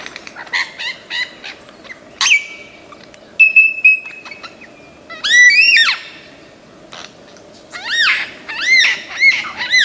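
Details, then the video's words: Lyrebird of Australian forests, famed for mimicking sounds, singing a mix of rapid clicks, long flat whistles, downward-sweeping harmonic notes and repeated arched chirps. "Lyrebird gacor 1001 macam suara"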